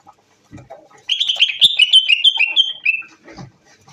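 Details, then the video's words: Moroccan bulbul delivering a two-second run of rich, rapidly repeated whistled notes that drift slightly lower toward the end, preceded and followed by soft knocks. "طائر البلبل المغربي من تحفيضي 25 oiseaux bulbul"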